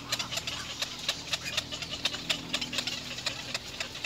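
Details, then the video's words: Nestling little egrets beg from their mother with a dry, ticking chatter of short harsh notes, evenly spaced and rapid, over a faint low steady hum. "little egre Baby birds try to feed their mothers"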